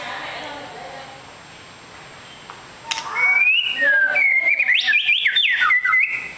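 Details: White-rumped shama, a long-tailed bird described as a super fighter. After about three seconds of near silence come loud, clear whistled phrases that slide up and down, with brief rapid notes between them.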